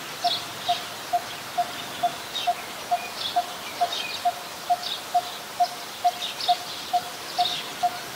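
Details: Wild coppersmith barbet in Ubon Ratchathani, Thailand, on 2 January 2021. Evenly spaced, low, knocking 'tuk' notes sound about twice a second, with faint distant chirps from other birds behind.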